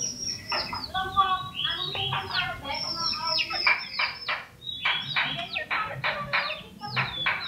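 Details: Small yellow common iora, a pet hand-raised from a chick, lively and talkative, singing with a loud clear voice: rapid runs of sharp downslurred chirps falling from high to mid pitch, delivered in dense bursts with brief pauses.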